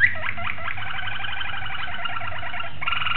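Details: A Malinois Waterslager canary recorded on 26 October 2012. The song is a continuous, fast-pulsed, burbling series of mid-pitched notes with a few short sliding accents, ending in a brighter, stronger pulsed phrase. Low steady hum underneath.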